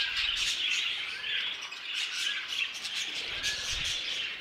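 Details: New violet budgerigar mutation chattering steadily: rapid warbles, thin whistles and a faint low thump near the close.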